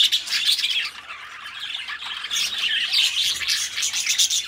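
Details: Two pet budgerigars, companions kept together, chatter in a dense, continuous warble of scratchy, buzzy squeaks and quick chirps. The sound swells and dips throughout with no pause.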